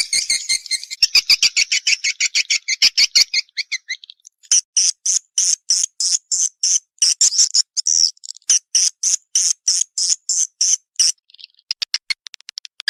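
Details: Swiftlet giving a response call: chattering twitter at first, followed by a long series of evenly spaced, high, dry clicks, then a quick burst of faster ticks near the end.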